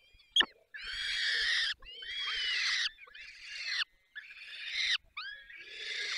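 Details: Falcons at a nest in Poland's Barycz Valley during feeding give rough, rasping screeches of about a second, in quick succession after a sharp click at the start.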